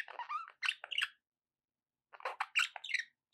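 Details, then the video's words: Pet budgies giving rapid squeaky, warbling chatter with quick rising and falling chirps, a pause of about a second, then another fast run of scratchy notes. "budgie sounds"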